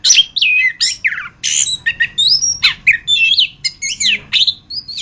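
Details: Geokichla interpres, the chestnut-capped thrush, known locally as anis kembang, kept as a contest and master bird: a dense, continuous stream of varied whistles, slurs and harsh notes jumping between low and very high pitches. No other sounds.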